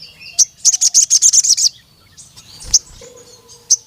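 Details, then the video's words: Crimson Sunbird calling to a rival male: one high chip, then a rapid run of about ten sharp, very high notes lasting about a second, followed by scattered single chips over a faint low hum. "CUIT CUIT BURUNG SOGON MEMANGGIL LAWAN JANTAN BIKIN GACOR NEMBAK PANJANG"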